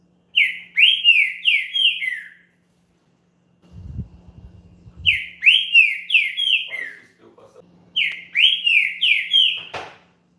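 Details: Champion green-winged saltator's song, played to warm up another saltator: three loud phrases of four or five slurred, falling whistles, each phrase about two seconds long with pauses between, and a man's voice speaking in one gap.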